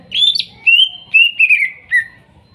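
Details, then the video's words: Greater green leafbird, forest-caught young bird from Kuningan, as therapy for a non-singing bird: a warbling whistled phrase of linked notes gradually drifting lower in pitch, ending in a falling slur. "TERAPI CUCAK IJO MACET BUNYI BAHAN HUTAN KUNINGAN TROTOL DAN NOPENG"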